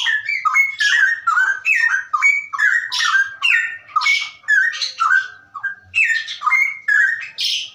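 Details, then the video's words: Straw-headed bulbul pouring out loud, rich, bubbling warbled phrases in rapid succession, each note sliding and gurgling without pause; song used as a model to prompt other birds to sing. "cucak rowo ropelan"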